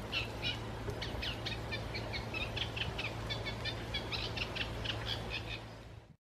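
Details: Eurasian reed warbler in song at Bieslandse Bos, 25 July 2016: fast, jerky chattering of harsh and clicking notes, roughly four per second, sometimes doubled, over a faint low hum, fading out at the end.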